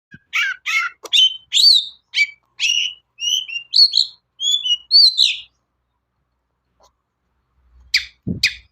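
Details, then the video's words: Long-tailed shrike singing vigorously, used as a lure to prompt other shrikes to sing: a run of quick, varied chirped and whistled notes, some rising, some falling, for about five seconds, then silence and two sharp closing chips. "CENDET GACOR SUARA AMPUH..! pancingan burung cendet paling dicari"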